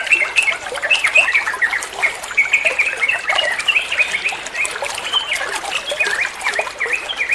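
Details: Trucuk bulbul in ropel style, used to train other songbirds: long, rapid, gurgling warble of tumbling notes, steady and dense throughout.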